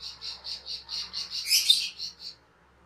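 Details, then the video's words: Master recording of a caged cucak keling for training birds. A steady series of short buzzy chips swells into a harsher rasping burst, then fades. "SUARA MASTERAN CUCAK KELING/KERLING"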